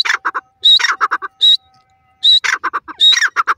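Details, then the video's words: Grey francolin, locally called teetar or dakhni teetar, giving bursts of harsh, squawky clipped notes in quick series, each burst led by a short high whistled note, three or four phrases within a few seconds. "teetar ki awaz,dakhni teetar awaaz,francolin voice"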